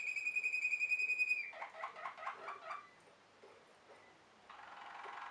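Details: Waterslager (Malinois) canary: a high held whistle, then a low pulsed roll of about a dozen notes, ending in a soft hissing tour.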